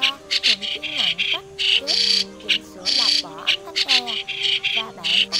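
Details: White-cheeked starling, a migratory bird, in a recording used as a trapping lure: dense, scratchy, rasping bursts in rapid succession, some longer hissing phrases, with continuous low droning tones and gliding whistles beneath.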